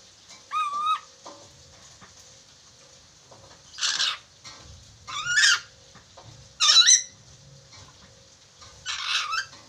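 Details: Chattering lory on a training recording made to get the bird talking quickly: one clear harmonic whistle, followed by four harsh, broadband screeches spaced one to two seconds apart.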